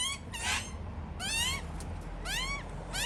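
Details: Begging Australian magpie chicks in a tree, a pair calling for food from attentive parents; rough, buzzy cries with upswept harmonics, a few spaced bursts over a low background rumble.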